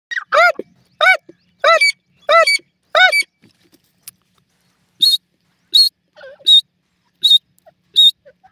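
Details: Francolin pair, Dakhni and Iranian teetar: five loud harmonic notes sliding downward about every 0.7 seconds, followed by a series of short high thin notes repeated at a similar pace.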